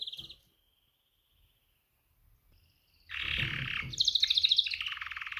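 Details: A female canary calls to males in a mating call. A single short chirp opens, followed by near silence, then dense buzzy trills with a high rapid rattling run.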